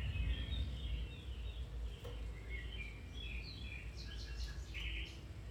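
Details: Canary, domestic form, singing for training: soft scattered warbles, then a cluster of rapid chirps and a brief buzzy trill near the end, with a low background drone.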